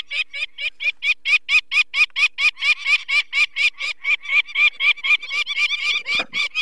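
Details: Peregrine falcon alarm calling at a nest in the Barycz Valley, 2 May 2023, as people take away a chick with eye problems from the brood of four. Loud, grating cackle of evenly spaced notes, about two per second, continuing throughout.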